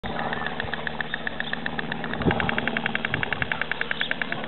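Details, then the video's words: A white stork couple at a zoo in spring clatter their bills in a dry wooden rattle that speeds up partway through, over a low steady rumble. "Bill clattering from a white stork couple"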